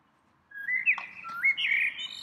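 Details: In spring, a lone little bird perched in its favourite tree sings a melodious phrase: a sliding whistle that rises, dips, then climbs again into a bright, wavering high note.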